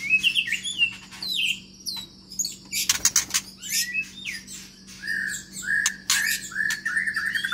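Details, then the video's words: Caged white-rumped shama from Medan with a long tail, singing in an aviary: quick whistled phrases and high twitters broken by loud rattling clicks, the notes sliding up and down over several seconds. "Senandung Kicau Murai Baru Medan Ekor Panjang Di Kandang Umbaran"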